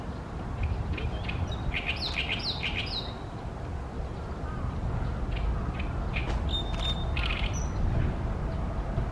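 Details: Singing loudly, an Oriental great reed warbler perches hidden in tree branches beside a reed pond in Ashiya, Japan, late May 2020: two spells of rough, grating, rhythmic chatter, with a thin whistled note between, over a low background rumble.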